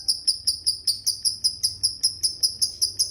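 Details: A lovebird gives a regular ticking series of thin, piercing chirps, about two and a half per second, steady and even.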